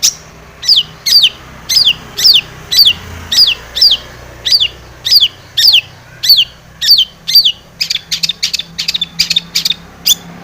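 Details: Long-tailed shrike lure song to provoke singing: loud repeated downslurred whistled notes, about two per second, each sweeping steeply downward, then a faster rattling run of clipped notes toward the end.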